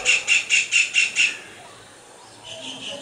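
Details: Kingfisher calling during its song-and-dance display: six sharp, squealing notes repeated quickly, about four a second, then a quiet gap before fainter notes return near the end.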